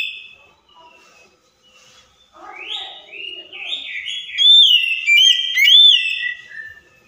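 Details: Lure song of an Oriental magpie-robin meant to get a non-singing bird to respond: near-quiet start, a soft chatter building into loud, sweet looping whistles and trills in the final seconds.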